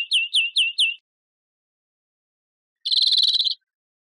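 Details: Four downward-sliding chirps of a European greenfinch, then a pause. A short, buzzy, rolling trill follows.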